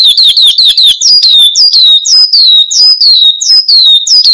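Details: Horsfield's bush lark song for luring and tutoring cage birds. Quick downslurred whistles repeat rapidly, then slow into a steady series of sharp, falling notes about twice a second.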